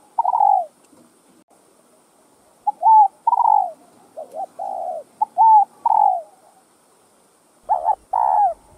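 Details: Cu gáy cooing, used to encourage caged male spotted doves: several phrases of a short grace note, a hooked rising coo and a drawn-out falling coo, spaced about two seconds apart, closing with a louder doubled throaty coo.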